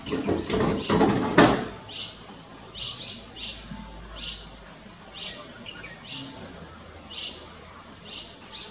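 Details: Striated swallow, Lugu, 30 June 2022: a loud rustling burst at the start, then a string of quick, thin chirps repeated roughly every half second.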